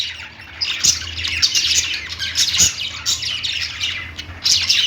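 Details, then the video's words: Lovebirds chirping and singing: rapid, scratchy high twitters and squawks that build after a quieter start into steady chatter, with a few sharp taps. "Lovebird Singing & Chirping sounds"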